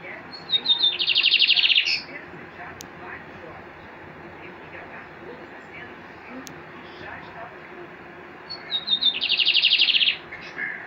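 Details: Caged Lined Seedeater held in a hand, singing at its reflection in a mirror. Two song bouts are separated by a long quiet pause, each a few high whistled notes leading into a dense, buzzy rapid trill.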